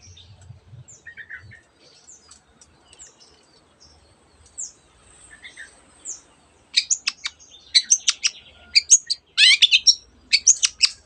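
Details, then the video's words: Long-tailed shrike singing, imitating a canary and many other birds: faint scattered high notes at first, then a loud burst of rapid, sharp clicking chatter and trilled notes that continues to the end. "cendet gacor nembak nembak rapat isian kenari dan banyak jenis burung yang masuk masteran"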